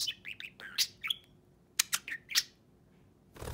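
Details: A talking pet budgerigar perched on its owner's finger, after another budgie took its cage, gives quick, scratchy chatter of high chirps and squawky syllables in two bursts with a brief pause, in a quiet room.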